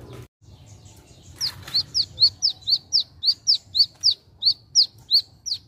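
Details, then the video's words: Wiceh bird singing outdoors: a steady series of about fifteen short, sharp, down-slurred whistled notes, roughly four per second, ringing clearly over faint low background rumble. "SUARA ALAM BURUNG WICEH"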